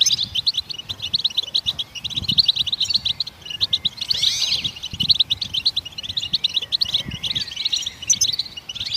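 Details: Goldfinch chirping, described as stimulating songbirds to sing: a steady, busy stream of high twittering notes, interrupted around the middle by a looping, swooping whistled phrase, then continuing as before over faint low thuds.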